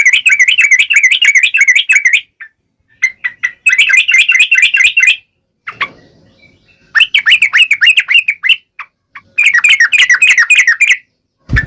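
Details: Yellow-vented bulbul pouring out fast, bubbly, wavering chatter in repeated bursts of one to two seconds with short gaps, a 'ngalas' wild-style song used to provoke birds to answer; a dull thud at the end.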